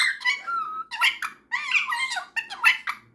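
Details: Pet cockatiel chatting indoors with a superb parrot before bedtime: rapid run of squeaky, warbling notes with short whistled slides, in bursts over three seconds, then laughter from a person.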